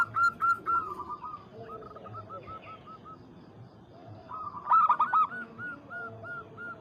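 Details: Local zebra dove calling a rival, meant to rouse other birds: a quick series of hooked coos fading into a soft trill, a quiet pause, then another loud burst of repeated cooing notes.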